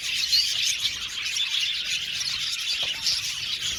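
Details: Aviary colony of budgies, an unbroken wash of bright chirps and squeaky warbles from many birds at once, with a few louder sharp notes standing out near the start and end.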